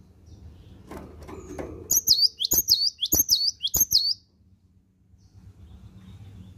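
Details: Morning song of a cinereous tit, a rapid series of about five sharp, high, bent whistles delivered in one burst, then quiet with soft low background rumble.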